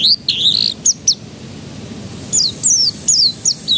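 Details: Canary song to draw young canaries into singing: a short whistled phrase and sharp high notes, a pause, then a run of descending slurred whistles repeated several times.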